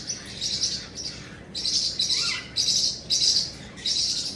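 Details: Pet cockatoo screaming: harsh, raspy high-pitched screeches in short bursts of about half a second, repeated roughly every half second to second with brief gaps; quiet indoor background.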